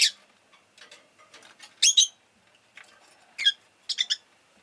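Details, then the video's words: Rosy-faced lovebird, Agapornis roseicollis, chirping in sharp, shrill, high bursts: a strong double chirp early on, then a single call and a rapid triple call, with soft clicks and rustling between. The recording is stated to include town noise such as engines. "Lovebird Chirping Sounds"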